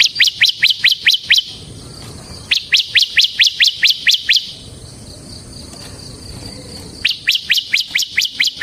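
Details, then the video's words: A semi bar-winged prinia singing in captivity, recorded as a lure and master song: three runs of evenly spaced sharp high chirps, roughly six per second, broken by a quiet gap of about two seconds. "suara burung CIBLEK SEMI GACOR Ngebren Ampuh untuk Pancingan Ciblek Kristal dan Masteran Ciblek"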